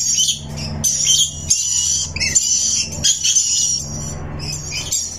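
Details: Shrill, high screeching chirps from a rainbow lorikeet parrot come in sustained rasping bursts, with a steady low hum behind.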